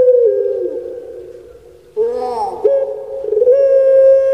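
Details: Puter pelung collared dove, a kept bird from Indonesia, gives a sustained mid-pitched coo that sags and fades, then after a pause a brief quavering rising note leading into another long, level, resonant hoot.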